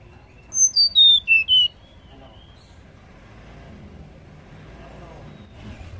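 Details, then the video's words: A female banded pitta gives five quick, high whistled notes, each sliding downward, packed into about a second. The call is used to stimulate a male to call, and a faint low rumble of traffic runs underneath. "SUARA TLEDEKAN BETINA UNTUK MERANGSANG BUNYI TLEDEKAN JANTAN"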